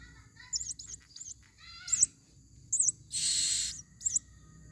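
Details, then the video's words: Female blue-crowned hanging parrot, forest recording used as a lure: scattered high, thin wavering squeaks and chirps over a low steady hum, a few lower harmonic notes, and one loud hissing burst. "Serindit Suara paling banyak...!!"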